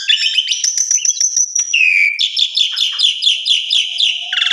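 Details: Asian pied starling song for training other starlings: crackling high notes, a dropping whistle, then a rhythmic run of repeated chirps and a final harsh buzz.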